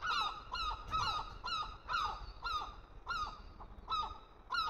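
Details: Young seagulls fed by an adult give loud, nasal, down-slurred squeals in quick clusters, roughly two per second, with short pauses between bursts.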